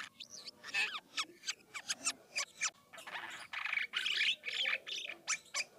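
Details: Asian glossy starling from the Philippines in active, varied rolling song used as a lure for other starlings; repeated sharp clicks and harsh rasping notes with scattered thin whistles.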